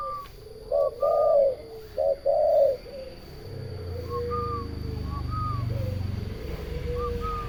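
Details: Turtle dove song with two loud short-then-long purring coos up front, followed by softer, more distant coos and a low hum in the second half.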